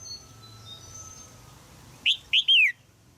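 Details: Female red-whiskered bulbul calling from a cage in Thailand to encourage a young male's singing; a single burst of three sharp chirps, the last one longer and slurring down, after a quiet start.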